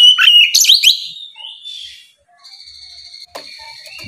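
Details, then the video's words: Oriental magpie-robin singing in ngeplong style in the morning to provoke rivals into answering. A loud second of rich whistles sweeps and slurs between high notes, then the clip falls to faint, thin tones and a brief click. "Kicau suara burung Kacer ngeplong memancing lawan di pagi hari, sekali dengar langsung nyaut!"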